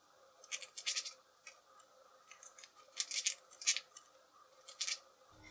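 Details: A pet cockatiel grinds its beak, a normal behaviour: soft, dry, scratchy creaks and clicks in short irregular bursts, about a dozen in five seconds, in a quiet room.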